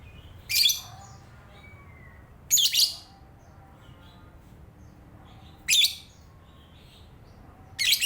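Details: Morning chatter from a lovebird, given as sharp, high, squeaky chirps every two to three seconds. Some come as quick double notes, and faint thin whistles can be heard between them over a low hum.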